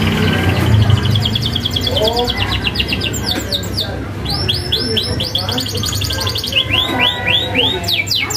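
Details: Canary singing vigorously with sharp rolling trills, a master recording meant for young canaries to copy: rapid series of high downslurred notes, brief buzzy rolls, a steady low hum underneath.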